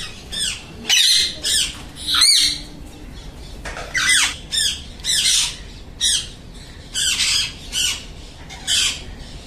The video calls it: Alexandrine parakeet group